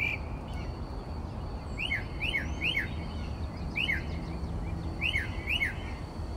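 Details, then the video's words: Northern mockingbird, the Texas state bird, singing outside a bedroom window at 4 am at night; repeated downslurred whistled notes in short bursts of two or three, over steady low background hum. "Mockingbird Singing Outside My Bedroom Window...at 4am!"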